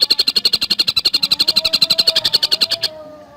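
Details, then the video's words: Quick, steady train of high, piercing notes from a Javan cuckooshrike in fast, tight song style, about three seconds of rapid repetition ending abruptly into quiet. "Masteran Burung Tengkek Buto Gacor Speed Rapat"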